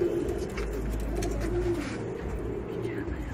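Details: Deep, throaty coos from racing pigeons, a clear rolling phrase at the start and another midway, over a low background hum.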